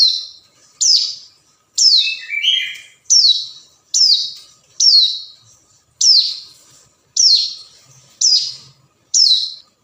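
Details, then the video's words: Hill prinia rival call used as a lure: repeated high, buzzy, downslurred notes spaced about a second apart, with one brief lower chattering burst early on and faint low knocks. "suara panggilan ciblek gunung"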